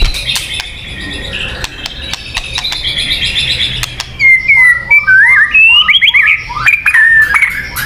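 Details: White-rumped shama lure song: soft high chatter at first, then loud clear whistles sweeping up and down in varied phrases.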